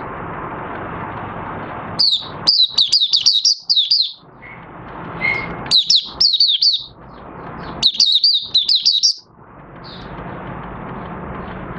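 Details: Caged oriental white-eye in open song, recorded 25 August 2022 after three months of night sleep with the cover cloth open. It gives three fast phrases of thin, high, chattering notes, each about a second long, over a constant background hum.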